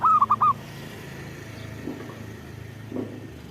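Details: Zebra dove gives one quick four-note cooing phrase at the start, followed by a low background hum and faint distant sounds.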